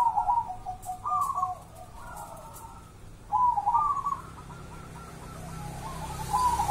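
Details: Song of a wild local zebra dove from Java, not the Malaysian bird: quick rolling coos strung into bubbling, stuttering phrases, one burst after another with a short pause between, against soft low background noise.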